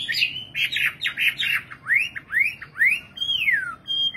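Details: Nightingale song: a burst of dense rattling notes, then a series of clear upswept whistles about every quarter second, ending with a long descending whistle and a short high note.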